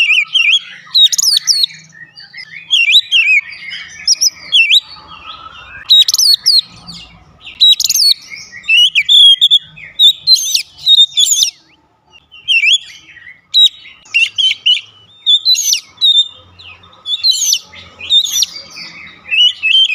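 An Oriental magpie-robin sings a rich, varied run of clear whistles and sharp chirps.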